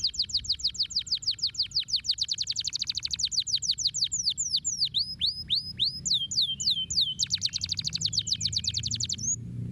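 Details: Canary singing to prompt lazy canaries into song. A fast high trill opens, then gives way to slower, sweeping downward-curving whistles, and a quick rolling trill returns near the end.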